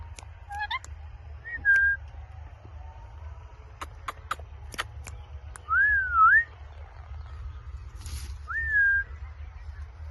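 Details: Parrot chirping: a handful of clear, pure whistled notes, one wavering up and down near six seconds and a rising-then-level whistle near the end, separated by sharp dry clicks over a constant low hum.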